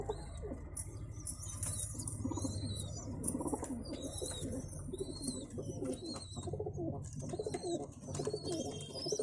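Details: Baby pigeons being fed: high, thin squeaks come intermittently over a constant low rumble and rustling from the adults.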